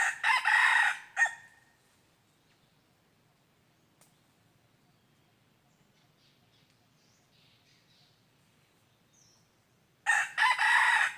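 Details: Red junglefowl crowing during decoy-luring of wild junglefowl, 23 January 2022: one loud rough crow opens, then about eight seconds of near silence, and a second crow begins at the close.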